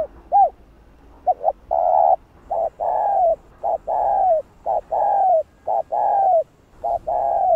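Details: Spotted dove coo used to excite other doves: steady run of paired short hoots each followed by a long, slightly falling coo, repeating about once a second with little background sound.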